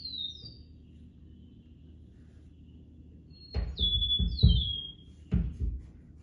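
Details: An Eastern Meadowlark of Texas's Katy Prairie, singing in spring, gives clear, sweet, slurred whistles gliding downward, one brief phrase then a longer one, over low thumps and room noise.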